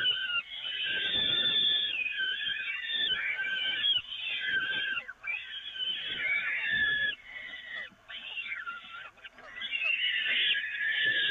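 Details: Continuous hoarse screaming from peregrine falcons while food is passed on the nest grating at the Evoluon, May 2018. Long harsh calls come in uneven bursts with a few short breaks.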